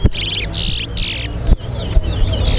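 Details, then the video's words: A towa towa seedfinch in a bird singing competition at Lusignan bird ground gives rapid bursts of bright, trilled warbling, then thinner whistles, over a steady low crowd murmur and a voice counting aloud. "TOWA TOWA BIRD SINGING"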